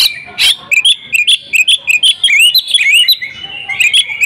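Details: Oriental magpie-robin in hard fighting song: a harsh rasp, then a steady rapid series of bright, twisting whistled notes about five a second, ending in mellower warbled phrases.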